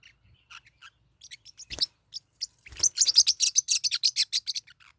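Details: Pet Forpus parrotlets fighting: sparse, scattered high chirps build into a dense, rapid run of harsh, shrill chattering notes that fades toward the end.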